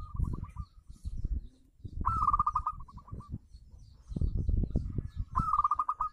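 A zebra dove gives quick, staccato trills of soft mid-pitched coos, three bursts in six seconds, over a steady low rumble of background noise.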